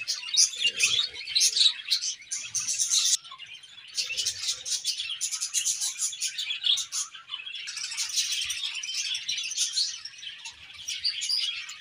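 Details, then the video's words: A flock of budgies sings in the morning: continuous high, buzzy warbling and chirruping in waves, with brief quieter pauses around four and seven seconds. "𝑩𝒆𝒂𝒖𝒕𝒊𝒇𝒖𝒍 𝑩𝒖𝒅𝒈𝒊𝒆𝒔 𝑴𝒐𝒓𝒏𝒊𝒏𝒈 𝑪𝒉𝒊𝒓𝒑𝒊𝒏𝒈 | 𝑷𝒂𝒓𝒓𝒐𝒕𝒔 𝑺𝒊𝒏𝒈𝒊𝒏𝒈"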